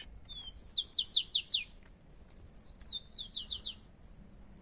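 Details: Rufous-collared sparrows in a song contest, two birds: clear high whistled notes leading into rapid runs of downward-sweeping trilled notes, repeated twice within a few seconds, with faint chirps between.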